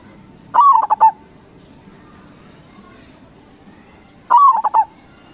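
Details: Singing local zebra dove, crossing style, played to provoke other doves to respond: a drawn coo followed by three quick, punchy notes, the whole phrase returning about four seconds later over a steady low hum.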